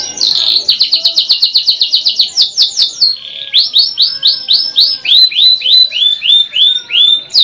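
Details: Canary in full song: fast high chattering trill, then a series of rolling downslurred whistles about four per second, clear and loud.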